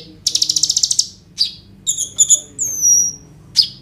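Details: Vigorous sunbird (kolibri ninja) song meant to coax other birds to sing, phone-recorded: a fast rattling trill, then stacked chips and a long thin descending whistle, ending in a sharp chip.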